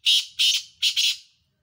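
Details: Rival black francolins in a calling contest, dated 7 October 2022: a rapid sequence of four coarse, scratchy, high notes, the final pair run together, each fading quickly into silence.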